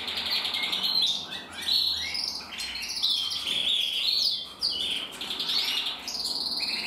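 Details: Pair of red-black canary cocks, intensive and frosted, singing together in a dense, continuous medley of rapid trills, chirps and buzzy rolling notes that rise and fall in loudness.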